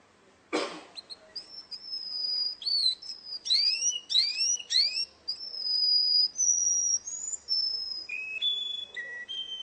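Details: Russian canary in a singing contest. A sharp click opens, then three rising swept notes repeat, followed by held high whistles and pure tones stepping down in pitch.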